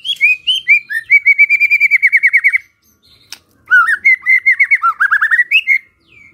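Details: Loud White-rumped shama singing to provoke a reply from rival shamas: a fluent run of rapid repeated whistled notes lasting about two seconds, a short gap, then another rolling series of slurred whistles rising at the end.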